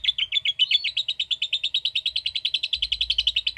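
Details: 'Ngekek' song of a lovebird: a fast, unbroken trill of shrill chattering pulses, about eight per second, holding a steady high pitch the whole way through.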